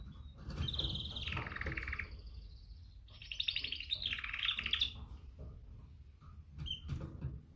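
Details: Female canary mating call to attract males: two long buzzy trilled phrases, each about a second and a half, wavering high then dropping slightly, over a steady low rumble of background noise.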